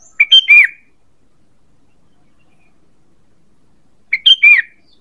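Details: Sooty-headed bulbul lure call used for attracting birds: a short burst of three quick whistled, chattering notes, then silence for about three seconds, then a matching three-note burst.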